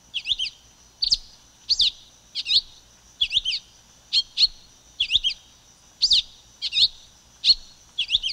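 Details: Pipira-vermelha, the silver-beaked tanager, gives a long run of clipped, harsh chip-like notes, some doubled, spaced about every 0.7 seconds at an even pace, with a thin constant high-pitched hiss behind.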